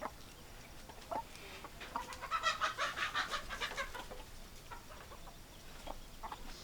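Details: Hens and roosters heard as a loud, rhythmic series of pulsed, harmonic clucks in the middle, framed by scattered softer single clucks.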